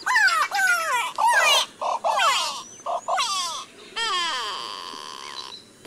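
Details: Grey go-away-bird of Africa giving loud, nasal, bleating calls, slurred downward and repeated in bursts about once a second, sounding much like a goat.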